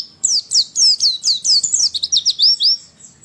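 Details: Female white-eye sound, used to provoke lazy males into singing quickly as in the wild: rapid high twittering of sharp descending and looping notes, packed closely and nearly unbroken for three seconds.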